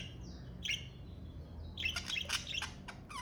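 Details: Pet budgerigar gives a soft chirp, then after a pause a burst of sharp, buzzy chirps and a final rising whistle over low background hum.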